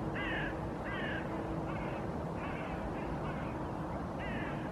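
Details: In Helsinki, Finland, in April 2023, a male Common Goldeneye displays in courtship to a resting female on a bay, giving short, harsh, creaking notes, about seven in a loose series less than a second apart, over a steady low rush of water or wind.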